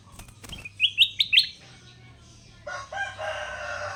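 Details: Caged sooty-headed bulbul, a wild-caught bird tamed and trained, now singing loudly almost every minute; four bright, rising chirped notes in quick succession after a few clicks, then a rooster crows in the background over a low hum.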